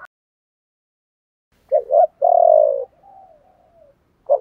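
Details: Spotted dove, male and female voices used to stimulate kept birds to coo: a few soft low coos, then a longer steady coo fading into quieter tones, with silence between phrases.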